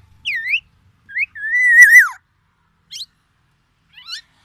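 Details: Aceh black-naped oriole in full shama-imitation song: a bright swooping whistle, a short upslur, then a long sustained whistle that drops sharply, followed by two brief sharp chips.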